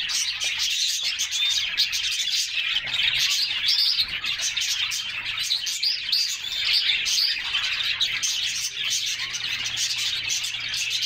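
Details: A group of canaries bathing in summer, singing steadily: dense, overlapping high chirps and twittering trills form a continuous chorus, with faint splashing noise underneath.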